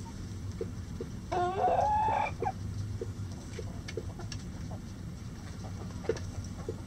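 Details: Backyard rooster crowing from its coop in light rain: one loud, harmonic, drawn-out crow lasting about a second, with the middle part held and slightly rising. Soft short clucks from the flock repeat afterward over steady rain patter.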